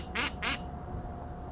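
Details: Bird giving alarm calls: two harsh, nasal quacking notes in quick succession, then a low background hum.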